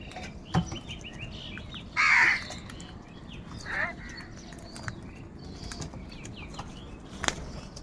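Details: A crow gives one loud, rasping caw, followed by a shorter, fainter harsh call over a background of scattered clicks and distant noise.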